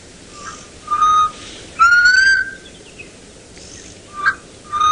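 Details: Black cuckoo calling at sunrise in early January in Sabi Sands, South Africa, with birding activity that morning: plaintive, drawn-out whistled notes, the longest sliding slightly upward, spaced irregularly over a quiet background.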